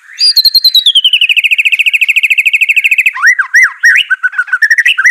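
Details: Song of a white-rumped shama, used to coax a reluctant bird into singing: a long fast trill of even pulsed notes slowly falling in pitch for three seconds, then looping whistled slurs.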